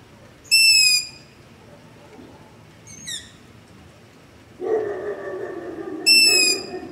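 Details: Long-eared owl begging call recorded in darkness near a home with a ZOOM H5 and LOM Usi Pro: high, squeaky, drawn-out squeals, a faint shorter call, then a lower, rougher noise before a final loud squeal.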